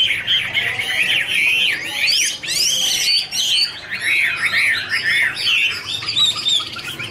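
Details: Garrulax canorus singing in a dancing duet, fluttering wings: rich warbled phrases of looping whistles with several fast upward-sweeping notes and short breaks between phrases.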